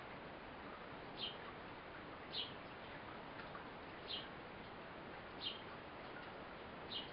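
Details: Eurasian blue tit, a mother feeding her fledgling: short, high, thin chirps spaced roughly one to two seconds apart, five in all, over a steady hiss of background noise.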